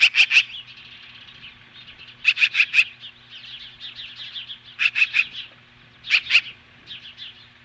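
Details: Osprey defending its nest against magpies, Lolo, Montana, 10:26 AM, July 15, 2015: loud groups of three or four piercing notes, about every two seconds, linked by softer fast chirping.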